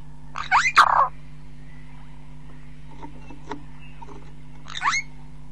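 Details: A Burchell's starling recorded close up gives a harsh, grating burst of squawks, then a shorter rasping note about four seconds later, over a steady low hum.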